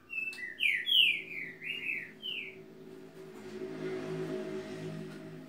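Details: Green-winged saltator delivering one phrase of five or six loud, rich whistled notes that step downward, followed by a stretch of low rumbling background noise.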